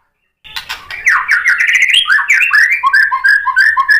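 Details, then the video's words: White-rumped shama song used as a lure to stir other shamas into answering: after a short silence, a rapid run of varied chirped and slurred notes, first climbing then dropping into repeated two-part phrases. "SUARA MURAI BATU UNTUK MENAIKAN EMOSI JADI NYAUT GACOR"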